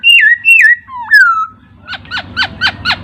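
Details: Master recording of laughingthrush song for training cage birds: loud falling whistles, then a rising swoop, then five quieter sharp downward notes spaced evenly, over a soft low background hum.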